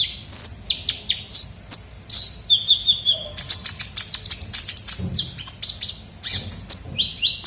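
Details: Lively sunbird known locally as kolibri ninja, recorded for luring birds: dense run of very high, thin chirps and twittering notes, quick and irregular, with short slurred whistles and a faint low rumble behind.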